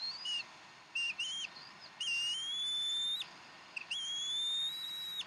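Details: At the Decorah bald eagle nest during a fresh-duck dinner on 15 April 2012: short high whistles followed by two longer, rising whistled notes over a hissy background.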